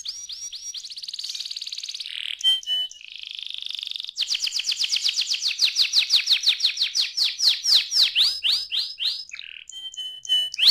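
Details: A canary in varied song, used to encourage young canaries to sing. Quick trills alternate with a steady whistled tone, short pauses and bright chips, then a long sequence of sweeping notes that grows louder and slower.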